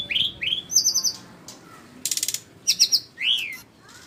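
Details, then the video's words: Flycatcher, called sikatan rimba, singing a varied run of high notes: rising and falling whistled slurs, a brief buzzy rattle of rapid pulses mid-phrase, and short clipped phrases between pauses. "burung sikatan rimba"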